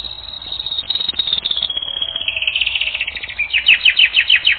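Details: Training-record song of a canary: a fast, dry rattle, then a long steady tone sliding lower, ending in loud, rhythmic, downward-swooping notes at a quick, even pace.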